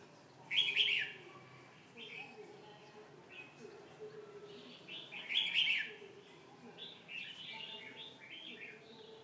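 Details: Song of a red-whiskered bulbul: strong, bright chirping bursts repeated about every five seconds, followed by quicker runs of lilting, warbled notes, with faint low sounds behind.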